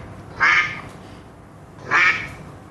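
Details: Duck quacks played in a preschool science lesson on animal sounds: two short, harsh, nasal quacks about one and a half seconds apart, with quiet room noise in the gaps.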